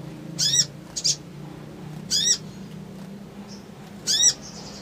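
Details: Crimson sunbird; chattering song; provoking other birds into responding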